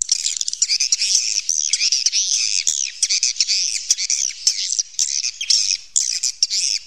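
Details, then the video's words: Natural cave-recorded swiftlet calls: constant high, buzzy twittering with wavering, slurred notes and occasional crisp clicks breaking the stream. "suara panggil walet asli alami rekaman dari goa"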